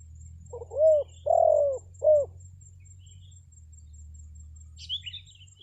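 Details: Spotted dove luring call for trapping wild birds: two short soft notes and three hollow low coos, the middle drawn out, then quiet hum and brief high chirps from another bird near the end.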